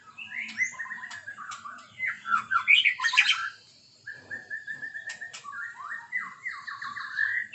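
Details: White-rumped shama singing in the morning: varied whistled phrases, some warbled and rich, others a level series of short repeated notes, with brief pauses between bursts.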